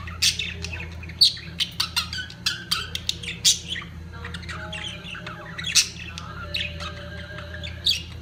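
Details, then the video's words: Budgerigars at the peak of mating give loud, sharp squawks and chirps about every two seconds, set into softer warbling chatter, with a steady low hum in the background. "طيور الحب البادجي في قمة تزاوجها"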